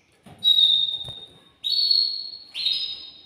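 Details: Male canary in a cage, singing to stimulate a female to mate, gives three long, steady, pure whistled notes, each fading away, separated by short gaps.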